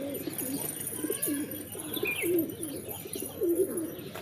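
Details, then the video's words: Rhythmic pigeon cooing: low, wavering coo phrases repeated in quick succession, each rising and dipping. A brief faint higher chirp sounds once midway. "Pigeons | Cat Tv For Cats To Watch Birds | Beautiful Birds chirping Sound"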